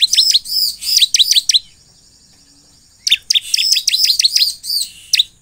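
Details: Energetic bar-winged prinia song for prompting other prinias to answer: dense, rapid clusters of high arched and downswept chirps, a quiet gap of about a second and a half, then another lively burst.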